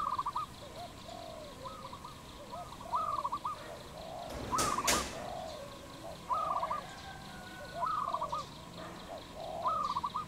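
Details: Wild dove in Cambodia, recorded on 22 April 2020: a series of short, quick, bubbling notes repeated about every one and a half to two seconds, with softer lower coos between, and one loud knock-like noise midway.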